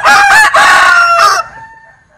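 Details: Strange crow of a Linh Kê chicken: three loud, harsh harmonic segments with brief breaks, cut off abruptly, followed by a faint fading tone.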